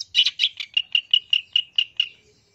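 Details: Long-tailed shrike call played as a lure so birds answer fast: a series of about ten clipped, ringing notes, at first rough and doubled, then cleaner and evenly paced, fading out into quiet.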